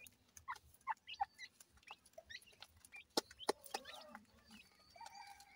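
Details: Grey francolin (dakhni teetar) chicks from Multan give scattered single peeps, high and short, spaced irregularly. They are joined by sharp clicks midway and a longer, lower tonal note near the end.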